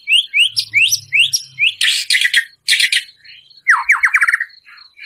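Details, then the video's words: Loud white-rumped shama song with harsh 'shots', used to rouse a caged shama's emotion: repeated upslurred whistles, rough noisy blasts, then a fast descending trill, with a low hum early and high ticks behind. "Murai Batu Gacor Full Isian Tembakan kasar, Sangat Ampuh Untuk Pancingan Emosi Murai"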